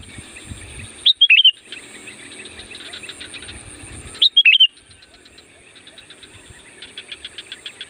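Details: Loud kutilang or sooty-headed bulbul song used to call wild bulbuls: two short bubbly whistled phrases about three seconds apart, over continuous high pulsed chirring.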